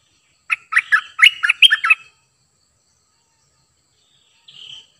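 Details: Cream-vented bulbul, a new decoy bird used to lure wild birds: a quick bubbly phrase of six or seven warbled notes, then a pause and a single short rising whistle near the end; no other sounds.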